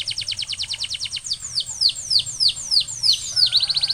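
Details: A canary sings to prompt other canaries to join in: a rapid string of short notes gives way to slower, spaced downward slurs, ending in a quick trill.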